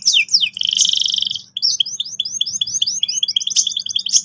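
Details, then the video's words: Vigorous canary singing, used to encourage young birds to roll: quick downslurs, a loud rolling trill, then a long chain of short clipped notes repeated rapidly with occasional bright peaks. "PANCINGAN BURUNG KENARI GACOR EFISIEN AGAR PAUD CEPAT NGEROL TAJAM & PECAH SUARA"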